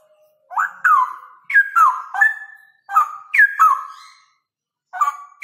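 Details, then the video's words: Fast, loud ropel singing by a male straw-headed bulbul: clear whistles leap between pitches and break into gurgling, slurred runs in two connected bursts, followed by a shorter opening phrase. "Jantan Ropel - Cucak Rowo Jantan Ropel Kenceng"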